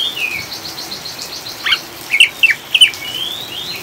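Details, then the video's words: Oriental magpie-robin ngriwik chatter used as a lure to calm caged birds: a soft drawn whistle, then several sharp chirps in a quick cluster and a final rising whistle, over steady rain. "Kacer ngriwik ngeplong"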